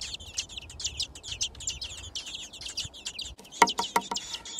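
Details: Six thrush nestlings in a nest in a garden, being fed: dense, rapid, high-pitched chirps overlapping in a continuous chorus, then a few sharp clicks and knocks near the end.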